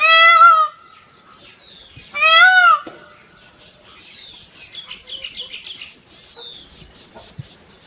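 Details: Indian peafowl, peacock of a peacock and peahen family: two loud harmonic wailing calls close together early on, followed by several seconds of faint, thin chirping from small birds in the background.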